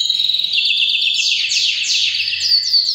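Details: Breeding-season canary song delivered as a loud, fast rolling trill of high chirps that steps up in pitch and ends with quick descending whistled notes; a faint low hum underneath.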